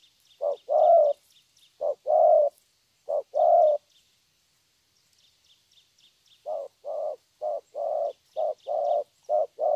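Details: A young, wild-caught spotted dove coos in 'thổ' style: three low short-long pairs, a pause of about two seconds, then a faster run of hollow coos, with high twittering of other birds throughout.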